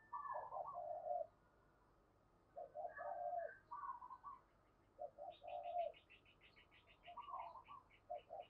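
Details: Female dove calling to stimulate males: soft groups of hollow coos repeated every few seconds, with a higher, rapid chattering series from another bird midway through and a steady low hum.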